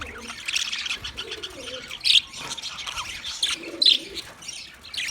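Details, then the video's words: High twittering chatter from budgies on 9 March 2024, with sharp loud chirps standing out, and low soft cooing phrases rolling beneath. "Relaxing Sound Of Budgies"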